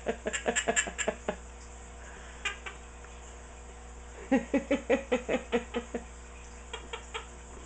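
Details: Pet Quaker parrot, 16 years old, kept indoors, making its annoying sound nonstop: quick series of short clicking, knocking pulses, about two or three a second, in two bursts separated by a pause, with a steady room hum.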